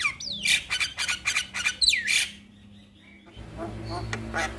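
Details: Master recording of a male Javan myna used to make other mynas sing: rapid harsh chattering notes with bending whistled slurs, followed by quieter faint twitters.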